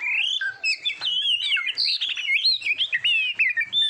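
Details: Oriental magpie-robin song, a training recording for competition birds: a continuous, loud, richly varied warble of rapid slurred whistles and quick trills, rising and falling without pause, on a quiet background.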